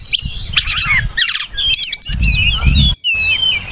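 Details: Oriental magpie-robin song used as lure and tutor recording for kept birds: varied clear whistles, slurred notes and short rattling phrases, with low thumping bursts of background noise beneath part of the clip.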